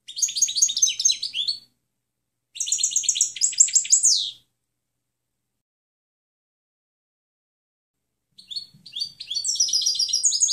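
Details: Clean European goldfinch song used as training material for other birds: two rapid tinkling, buzzy phrases, the second ending in a falling slur, then four seconds of silence before the twittering resumes.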